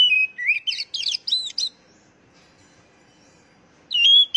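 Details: Oriental magpie-robin song for prompting captive birds to sing. A falling whistle and an upward slur run into rapid scratchy note clusters. After a long silence, a loud, clear, high whistle starts near the end.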